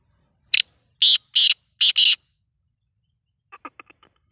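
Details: Black francolin, known locally as kala teetar, giving a harsh grating call: one short rasping note, then two longer ones, then a quick close pair, followed by a faint rapid series of clicking notes; otherwise quiet.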